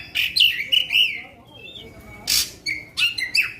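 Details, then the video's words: Black-winged magpie-robin giving 'tembakan panjang' long-shot song to excite other magpie-robins: sliding whistled phrases, a harsh noisy burst, then short bright whistles. "Kacer Faekter tembakan panjang" pendongkrak emosi kacer lain"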